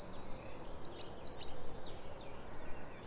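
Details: Coal tit song from a garden birdsong quiz: a rapid, high-pitched, slurry repeated 'tisha tisha tisha' phrase, thin notes rising and falling quickly over background noise.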